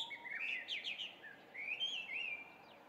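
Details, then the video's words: Chinese hwamei singing loudly at about 5:30 am in early June 2019, Japan; a tumble of quick down-slurred whistled notes followed by long rising and wavering whistles, steady low hum beneath. "これって何の鳥の囀り? ガビチョウ"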